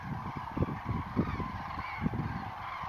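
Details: Flock of common cranes taking off at daybreak, Lac du Der, 19 November 2016; many distant, low, clipped honks pile up in a continuous chorus, a few notes standing out, over constant broadband background rush.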